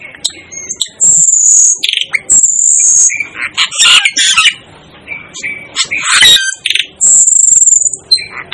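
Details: Asian glossy starling giving a busy run of very high shrill whistles alternating with harsh rasping squawks, loud and irregular, with short silent gaps between bursts.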